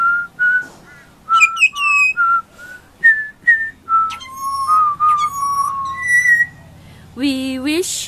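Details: Baby pied butcherbird singing high-pitched song: a long string of short pure whistles moving up and down in pitch, then longer held notes, ending in a loud harsh rising burst.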